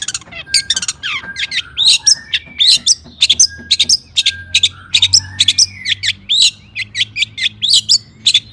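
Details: Long-tailed shrike in lively, agitated full song, used to provoke other shrikes into singing: a dense run of sharp, high chirps and squeaky, twisting notes with whistled slurs, delivered in rapid bursts several times a second.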